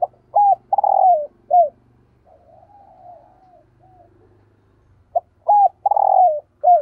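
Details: Spotted dove kept as a decoy, cooing in 'thúc gù' style. Loud hooked notes and a long falling rolled coo start the clip. Quiet wavering coos follow, then the loud phrase repeats near the end, with a faint low hum throughout.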